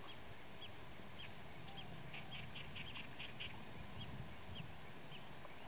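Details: Blue-tailed bee-eater, locally called kirik kirik laut, giving short rolling chirps in quick runs, clustered through the middle seconds, over a steady low rumble of background noise.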